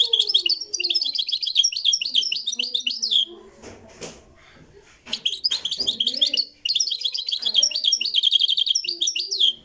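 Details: European goldfinch of the Marrakchi song style, live: two long bouts of rapid tinkling twitters separated by a pause filled with low rustling and thuds.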